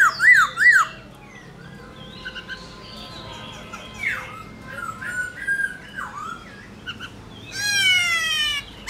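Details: Caged black-throated laughingthrush singing varied forest-voice phrases. Bouncing whistles open it, then quieter slurred and dipping notes, and it ends with a bright rapid trill.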